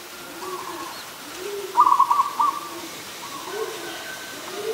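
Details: Zebra dove, an adult, calling in Ubon Ratchathani, Thailand, 24 December 2020. One loud rattling coo of quick stuttered notes ends in a separate note. Softer coos and low background murmuring surround it.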